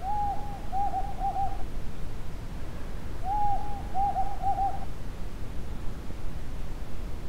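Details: One of a calling pair of Desert Tawny Owls (Strix hadorami) in a remote part of the Judean Desert, Israel, gives two low hooting phrases, each a longer hoot then quick paired hoots, over steady low wind rumble.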